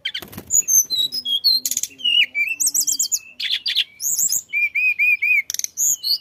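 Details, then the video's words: Flycatcher known locally as tledekan singing steadily, meant to draw song from other birds: a fast varied medley of high whistles, dense buzzy trills and a run of four evenly spaced short whistled notes. "kicau tledekan gacor ampuh untuk pancing bunyi"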